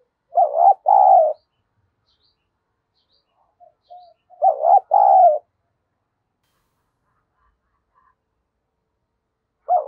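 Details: Cooing decoy spotted dove, used to stir up rival doves, gives two loud double-note phrases about four seconds apart, low and hollow, with a third beginning at the end and near silence between.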